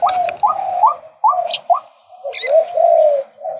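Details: Male White-breasted Waterhen calling: short mid-pitched upswept notes in uneven sequence, broken by harsher grating phrases and a long rasping note near the end, with brief pauses between.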